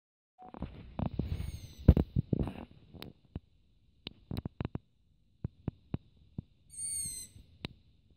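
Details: Long-eared owl chick perched on a roof at night calling for food, filmed by mobile phone; a single squeaky, slightly falling rasp comes late, after a burst of low rumbling handling noise and scattered sharp clicks.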